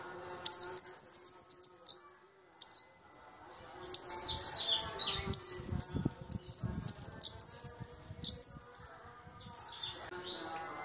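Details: Flowerpecker (kamade, also called cabe-cabean) in Indonesia, a small bird with a loud, ringing voice, recorded as a lure track: high, thin, sharp twittering notes in quick bursts with brief pauses, over a faint low hum.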